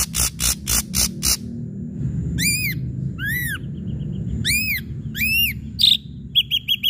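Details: Ashy drongo lure song to draw other birds into singing: five harsh rasping bursts in quick succession, then four ringing upward-arching whistles with faint short notes between, ending in clipped piping notes.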